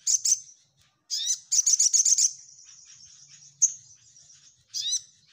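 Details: Orange-headed thrush in lively, full song in the nyecret style, used to train other birds' nerve for group contests: high, sharp chirps, then a fast run of buzzy rattling notes, a long thin trailing hiss, and a bright single note.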